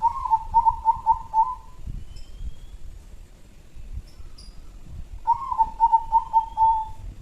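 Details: Local zebra dove kept as a lure bird in Jambi gives two rapid phrases of short, bubbling cooing notes, each phrase stuttering then drawn out. A quiet pause separates the phrases, with faint thin whistles from other birds in the background.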